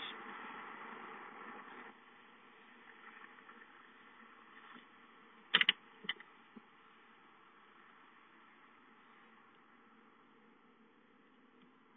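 Steady mechanical hum with a few brief clicks and knocks near the middle; no animal calls stand out.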